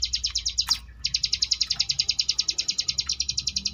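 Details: Sunda bush warbler singing the ngebrem variation style, used as a training recording for contest birds: a rapid, even train of high buzzy pulsed notes, briefly broken by a sharp burst before resuming steadily.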